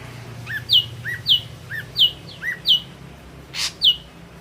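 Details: Red-eyed ashy drongo (Dicrurus leucophaeus) singing a repeated two-note phrase about every half second: a short low whistle, then a higher, clear down-slurred note; one brief hiss intrudes.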